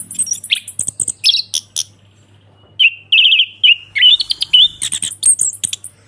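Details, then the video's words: Orange-headed thrush in ngeplong style for reviving a caged bird's song: scattered high chirps, a pause, then buzzy trilled notes and bright warbles with a faint hum beneath. "ANIS KEMBANG NGEPLONG PANCINGAN TERAPI ANIS KEMBANG MACET BUNYI SEKETIKA LANGSUNG NYAUT DAN GACOR"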